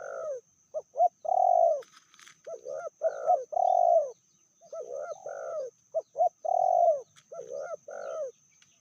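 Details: Spotted dove hen, described as fiercer than the male, cooing continuously: quick pairs of short notes ending in sustained mellow coos, the pattern repeating about every two to three seconds.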